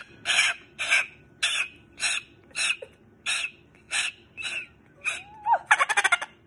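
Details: Indoors, a male pet Moluccan cockatoo grows tired of his owner's affection and gives harsh, broadband squawks repeated roughly every half second, about ten in a row, ending in a rapid rattling burst.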